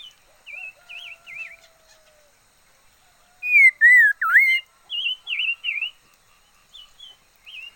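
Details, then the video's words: A decoy red-faced liocichla sings: soft wavering warbles, then one loud run of three whistled notes with a deep dip, followed by more quiet trilled, wavy notes. "Chim mi lửa mồi hót hay"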